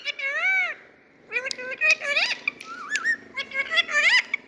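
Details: Indian pet parrot talking: an arched, speech-like syllable, then a quick chatter of harmonic squeaks, clicks and rising whistled slurs.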